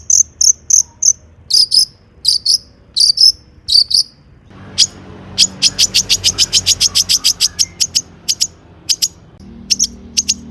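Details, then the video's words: Long-tailed shrike singing loudly with mimicry, used as a lure to draw song from other shrikes. Clipped high chirps come in short groups, then a fast even series of about three notes a second over a faint background hiss. "burung cendet gacor EMOSI MEWAH buat PANCINGAN CENDET AGAR BUNYI bikin BURUNG PENTET GACOR NYAUT"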